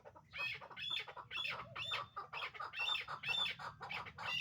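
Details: Chukar partridge hybrid pair, breeding birds, calling loudly in dense rhythmic bursts of rough chuk-chuk notes, about two to three per second, with a faint low rumble beneath.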